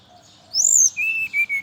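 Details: Brown-chested jungle flycatcher's morning song, used to draw in others of its kind: a high arching whistle, then a lower drawn-out whistle chopped into short pulses.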